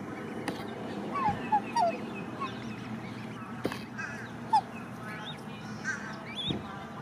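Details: An Australian silver black swan parent guards three one-day-old cygnets in the nesting area at Lake Morton, Lakeland, Florida, giving a few short, soft bugling notes, bent up then down, in quick clusters, over steady hiss and clicks.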